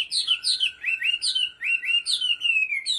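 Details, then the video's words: Chinese hwamei from Bình Định, Vietnam, kept as a cage bird, repeating a bright downslurred whistled phrase about seven times in three seconds, each followed by a short rising note. "Họa Mi giọng hót cực hay và chuẩn"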